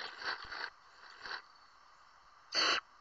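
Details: Barn owl chicks, five of them, in California, producing noisy rasping hisses: two longer hisses at the start, a short one near 1.3 seconds, then a loud, sharp hiss near the end.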